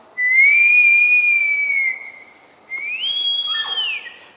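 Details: Bush stone-curlew visiting a house at Gold Coast, Australia: two mournful whistles, the first rising and held level, the second sweeping higher and then dropping away.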